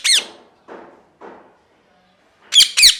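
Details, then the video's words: Parrot with a single harsh screech at the start and two sharp squawks at the end, separated by soft, muffled scratchy sounds and near silence. "Parrot Chirping Sounds | Natural Parrot Sounds | Parrot Calling Sounds"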